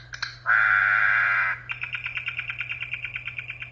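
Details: Corrupião delivering a broad, harsh grating note lasting about a second, followed by a quick regular chatter of short notes, roughly three per second, over a steady low hum.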